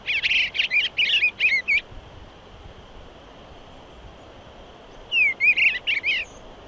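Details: Eastern bluebird song made of two bursts of soft, slurred warbling notes. Each burst lasts under two seconds, and a quiet gap of about three seconds separates them.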